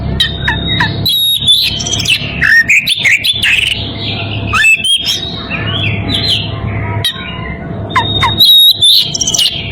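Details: Oriental magpie-robin in breeding condition challenging a rival with vigorous whistling, steady high notes broken by downward swoops, scratchy chatter and shrill squeaks in lively bursts, with a faint low hum behind.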